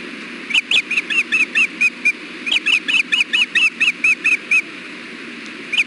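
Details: At the Hellgate nest on 6.4.16 about 4:00 pm, an osprey pair during a fish delivery, the male offering bites. Two bursts of shrill whistled chirps, each eight to nine notes, descending slightly, then one last note.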